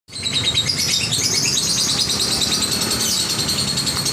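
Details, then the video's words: Lovebird chattering, played to lure lovebirds that rarely chatter into long chatter; dense, continuous, high-pitched rapid twittering throughout, loud and unbroken. "Pancingan love bird ngekek panjang ampuh"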